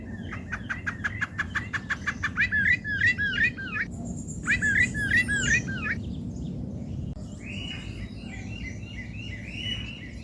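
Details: Rufous-bellied thrush, Brazil's symbol bird, singing at a backyard bird feeder: bright, repeated upslurred whistled notes in quick runs and phrases, with pauses between them, over a steady low rumble and other faint bird calls.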